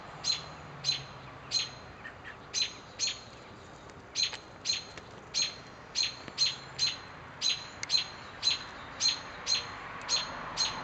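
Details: About one day old, American robin nestlings in a low nest in a young arborvitae hedge next to a deck repeat thin, high, sharp peeps roughly once a second against quiet background hiss.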